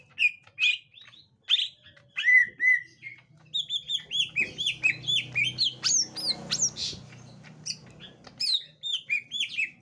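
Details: Gotri-type green leafbird meeting a young forest-caught green leafbird: scattered sharp chirps, then a quick chattering series of downslurred whistled notes with a faint noisy rumble behind.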